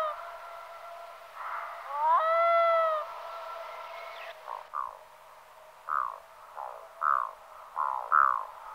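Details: Black-throated loon: a long, harmonic, rising wail, followed by a series of short, hoarse, croaking notes spaced about a second apart, with faint background hiss.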